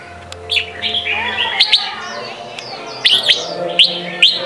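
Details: Sông kon style song of a red-whiskered bulbul, played to train young birds. Liquid warbled phrase, then separated sharp upward-slurred whistles at the end, with a faint background hum.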